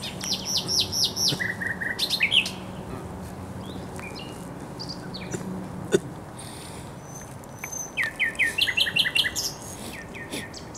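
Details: Thrush nightingale singing beside the Żerań Canal on 24 April 2022: loud phrases of rapid repeated high notes, a run of lower clipped notes, then a pause and a second burst of fast repeated strokes.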